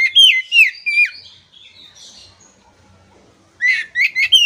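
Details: Oriental magpie-robin song used to stimulate stalled, stressed magpie-robins into singing: a run of descending whistled notes, a softer warbling passage, a quiet gap, then a fresh burst of quick sharp notes.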